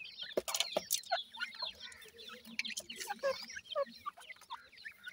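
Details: Dakhni teetar (francolin) chicks, a group of young birds, give a busy chorus of thin, high, downslurred peeps that overlap constantly, with occasional sharp clicks and soft knocks in the background.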